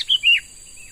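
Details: Young wild-caught sooty-headed bulbul being trained to serve as a lure bird: two quick clear whistled notes, the second longer and falling at its end, then a faint softer note, with a steady high background hiss.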